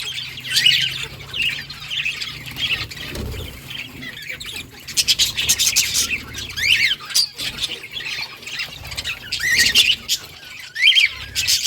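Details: Many budgies in a breeding colony keep up busy, overlapping chirps and squawky warbles, with short clearer whistled calls standing out now and then, plus a brief low thump.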